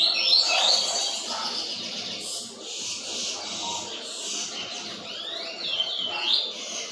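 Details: Double-collared seedeater singing loud, fast, high-pitched phrases of sweeping and buzzy notes in quick, nearly continuous succession for about seven seconds.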